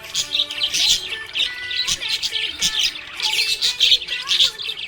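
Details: Happy budgerigar giving quick repeated chirps, about two per second, mixed with scratchy warbles and a few rising whistles, soft music underneath.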